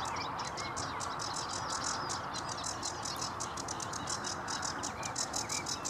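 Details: At Vange Marsh RSPB a sedge warbler sings a hurried, scratchy medley of rasping chirps and clicks, with a few brief whistled slurs mixed in, delivered without pause against soft marsh background noise.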